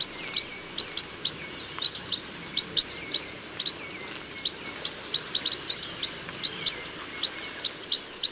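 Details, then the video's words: Busy series of thin, high chirps from a chestnut munia in a rice field, irregular and often clustered in twos and threes, backed by a steady high hum. "CHESTNUT MUNIA BIRD SOUND"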